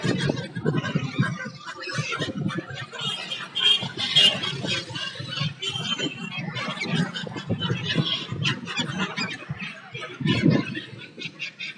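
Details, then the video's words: Migratory gulls newly arrived for winter on the Tapi coast at Surat, Gujarat, give overlapping harsh, squealing calls, with a steady low rumble of crowd and traffic beneath. "Seagulls making noise as arrived"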